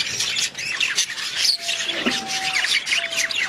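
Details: Budgerigars in busy, continuous warbling chatter, harsh chirps overlapping, with a faint steady low whistle-like tone running through the middle part.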